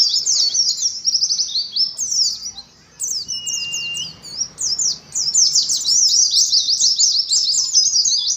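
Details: Caged Oriental white-eye in a colony, delivering ngalas song: quick, high, downslurred chips strung into busy phrases, with a quiet lull near the start and one faint flat whistle.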